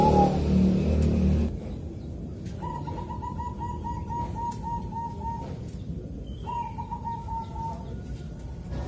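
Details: Zebra dove of the Bangkok type, recorded in Kediri, East Java, in calm morning rhythm used to prompt other doves to sing; after a loud rumbling start, quick strings of soft, even cooing notes run for several seconds, pause, then resume.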